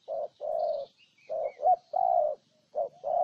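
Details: Spotted dove in Ninh Thuận, Vietnam, delivering loud low coos close by, short and long notes alternating in quick pairs, with a brief squeaky note and faint high chirps of other birds.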